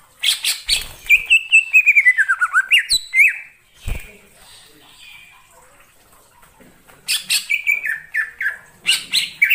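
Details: Wild greater green leafbird in forest, giving a rapid string of high chirps and a long wavering, downward-sliding whistle, then a quiet gap with a few clicks before another burst of varied notes.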